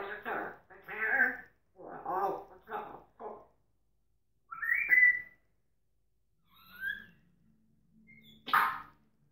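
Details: Pet African grey parrot indoors, talking: several short speech-like phrases with mid-pitched syllables, then a single rising whistle, a soft low note and a final sharp squawk-like word.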